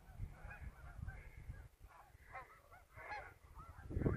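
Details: Geese on a river during a short afternoon scouting trip, recorded 12/11/17: a flock gives repeated nasal honks in overlapping bursts, with louder calls near the end, over steady low rumbling wind or water noise.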